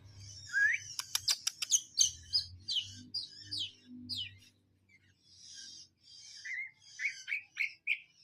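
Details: Javan munia song from Indonesia's songbird hobby scene: sharp high clicks and rapid squeaky notes, a brief pause, then a series of short rising whistled chirps, with a faint low hum early on.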